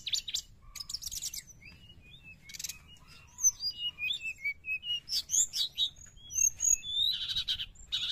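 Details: Sooty-headed bulbul song meant to lure wild birds: slurred whistles and twittering notes mixed with harsh buzzy bursts, growing into a steady run of rapid repeated phrases toward the end.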